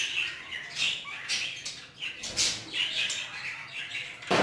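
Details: Budgerigars of the Hogoromo type in an aviary give chirpy, squawking calls repeated irregularly, with several birds overlapping and a burst of wing flapping at the end.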